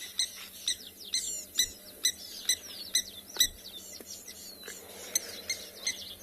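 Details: Several lapwing parents on an afternoon in South Africa, by a dam, give shrill, sharp, overlapping alarm calls about two a second as a bird of prey arrives and their chick hides, over faint background hiss.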